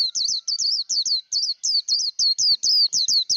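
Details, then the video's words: Vietnamese 'líu đấu' contest song of a Japanese white-eye, meant for training a young bird's voice: steady rapid run of high, wavering slurred whistles, roughly three per second, clean and loud. "Vành khuyên líu đấu. kích lửa vành khuyên líu đấu"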